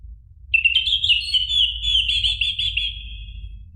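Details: Caged orange-headed thrush singing in a recording played to make another bird sing: one long, loud, buzzy, fast-trilled phrase held for about three seconds and fading at the end, with a faint low rumble.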